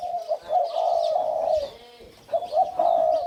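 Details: Caged crossbred male spotted dove of the 'sai din' line, twin of the father bird, crowing while walking and hopping: two mellow, low cooing phrases, each held steadily, separated by a short quiet gap.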